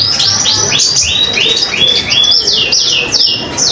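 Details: Common iora singing nonstop, used to tutor songbirds like magpie robins: repeated loud high notes sweeping steeply downward, about two to three each second, in an uneven rhythm.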